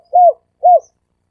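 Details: Dove used as a decoy lure giving two short, rounded, arched coos about half a second apart, clean and unaccompanied.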